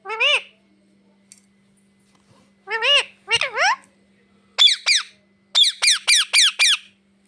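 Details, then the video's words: A talking parrot says "mummy papa" in wavering voiced syllables, then breaks into a quick run of short, sharp, high squeaks repeated several times per second. "मम्मी पापा बोलने वाला तोता"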